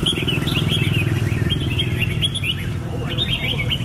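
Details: Red-whiskered bulbul singing short, bright chirping phrases of quick rising and falling notes, repeated rapidly, over a steady low engine-like rumble.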